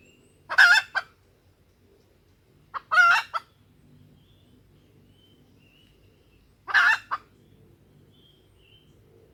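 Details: Female junglefowl calling to lure males and make them crow: three widely spaced hoarse clucks, each with a brief trailing note, over a steady low background hum.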